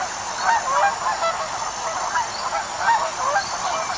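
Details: Flock of wild geese calling together, nasal honks overlapping continuously in a dense chorus, several birds at once with no clear pauses.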